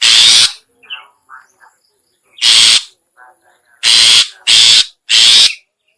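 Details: Harsh rasping bursts of a long-tailed shrike lure call: one burst, a gap with faint soft chirps, another burst, then three quick grating rasps in a row.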